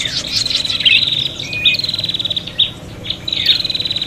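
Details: Noisy fighting calls of a prinia, played to lure birds: sharp high chirps and buzzy trills, then a run of quick, evenly spaced ticks, all over a faint low hum.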